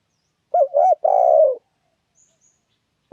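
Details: Trapping lure of a spotted dove: a wavering pair of short coos followed by one long, rough, rolling coo that drifts slightly lower, then quiet.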